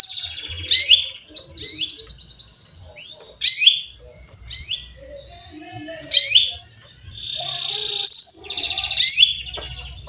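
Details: Chirps from a female canary calling a male: loud, piercing notes repeated every second or two, some followed by short buzzy trills and a thin high whistle near the end.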